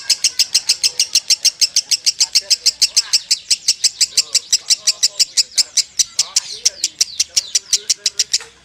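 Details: Lovebird giving nonstop konslet song: fast, high, clipped chirps at about six a second for over eight seconds, with soft voices and low background sounds behind.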